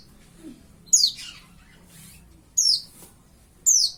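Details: Young white-eye (pleci), about five months old, just beginning to learn to sing: three short, very high, thin chirps, each sliding downward, spaced unevenly about one to two seconds apart over a quiet background.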